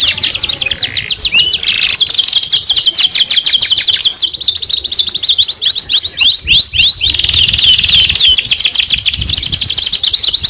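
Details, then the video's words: Young caged canary singing, the kind trained to answer other birds: rapid loud high-pitched trills of downslurred notes, some rising sweeps mid-song, delivered continuously for ten seconds without pause. "KENARI PAUD BAKAL NYAUT 2 IN 1 | CANARY SINGING"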